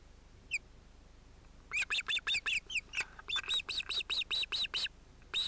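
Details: At a nest in late July 2018, an osprey, where a probably male chick interrupts the adult pair, gives one lone note then a fast run of about fifteen sharp whistled chirps, roughly five a second; quiet background.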